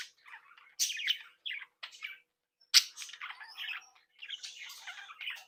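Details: Captive breeding flock of budgerigars, described as happy, playing and interacting, chirping and warbling; scattered bursts of scratchy chatter and short tweets with brief pauses, one loud harsh squawk near the middle, then a denser run of warbling.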